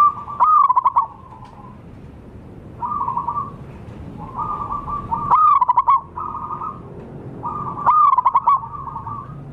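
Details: Zebra dove, local wild birds, call used as a lure: rapid bubbling trills alternating with soft level purring hums, three trill phrases spaced a few seconds apart.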